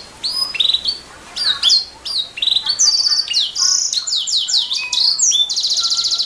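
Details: Canary master song for tutoring songbirds: varied high whistled phrases, sharp sweeps and rolls, ending in a long pulsed trill, sung continuously with short pauses.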